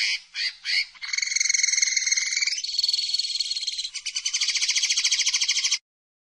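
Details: Linnet (pajarel) song starting with a few separate chirps, then long sustained buzzy trills that change pitch in steps and end abruptly. Nothing else is audible.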